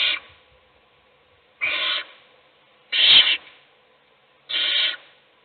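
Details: An adult owl, Lucy, in a nest box feeding chick N4 while the other chicks sleep, with four harsh, hissing screeches about half a second long, roughly every one and a half seconds, quiet between.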